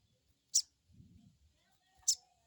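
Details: Crecet call of a crested jay used to stimulate untrained birds into calling: a pair of abrupt shrill bursts about one and a half seconds apart, with a soft low murmur between.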